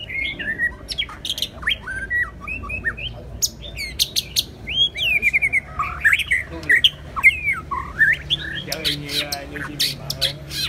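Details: Singing white-rumped shama giving a long varied stream of whistles, trills and sharp clicks, some notes rising steeply, with a faint low hum behind.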